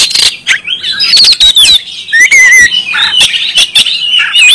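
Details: Vigorous Oriental magpie-robin song from a Kalimantan bird: clear descending whistles and quick high chirps broken by sharp ticking clicks and brief gaps.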